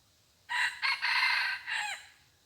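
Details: Red junglefowl crowing at a decoy-hunting spot. A single loud, harsh crow of about one and a half seconds comes in several choppy segments, and the final note slurs downward. Quiet background.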